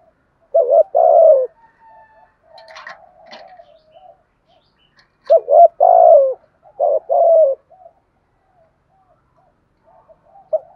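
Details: Decoy spotted dove cooing to provoke a rival: one coo phrase, a stretch of quieter coos and a few brief clicks, then two more loud rolling coo phrases.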